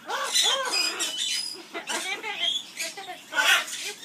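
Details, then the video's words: Caged pet Amazon parrot singing skimmeradinkadinkadink, with rapid arched notes that sound like speech, bouncing up and down in pitch, a steady chattering stream broken by brief breathy pauses. "Roscoe singing skimmeradinkadinkadink song"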